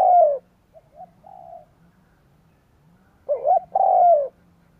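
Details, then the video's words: Spotted dove used to provoke wild doves: a loud falling coo opens, soft quieter coos follow, then a strong burst of stuttered notes ends in a long, mellow, descending coo, over faint low hum. "Tiếng cu gáy kích bổi cực nhạy / CU gáy thúc gù gáy đủ bài kích bổi cực nhạy"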